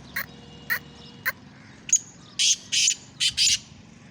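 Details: Black francolin in Sindh, Pakistan: a few short, sharp chirps, then a loud, harsh, grating burst of four rapid rasping notes in a quick rhythmic phrase over quiet background.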